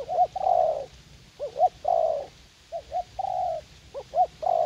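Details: Young caged decoy spotted dove, eager to fight, used for luring doves in a garden at U Minh; soft low cooing in repeated phrases, two short rising coos then a longer falling croon, about four phrases, steady low rumble behind.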